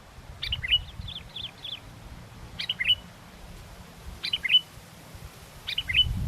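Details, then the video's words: Sooty-headed bulbul singing actively despite strong wind, used for luring: short bright chattering phrases that dip and flick upward, repeated about every one and a half seconds, with a low rumble of wind underneath. "pikat kutilang walaupun angin kencang tetap gacor"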